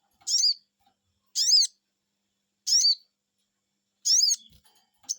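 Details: Crested Jay, or sogon, answering a lure: a steady run of five rasping, arched "cuiit" notes about every 1.3 seconds in otherwise quiet surroundings.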